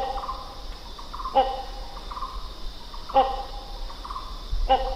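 A hornbill gives three short, harsh, nasal honks about every one and a half to two seconds, over a steady background hum and faint insect-like tones.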